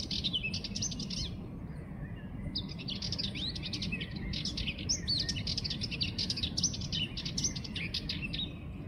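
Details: Sardinian warbler delivering a short scratchy burst, a pause, then a long rattling run of harsh staccato notes with brief whistled inflections, low background rumble throughout.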